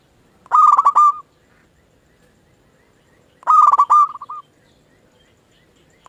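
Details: Zebra dove of local stock, sung as a lure to get other zebra doves answering: two loud rolling phrases of rapid pulsed coos about three seconds apart, a third beginning at the end.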